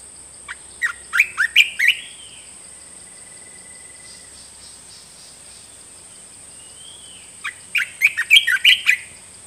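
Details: Red-whiskered bulbul in a cage: two bursts of quick, ringing whistled notes several seconds apart, each cluster of five to seven sweeping chirps, linked by a soft drawn-out whistle, with a high electronic whine underneath.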